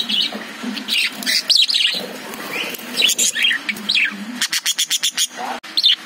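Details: Caged lovebirds give clusters of short, bright chirps and twisting whistled notes, then end in a fast, evenly spaced run of sharp, clicking ticks.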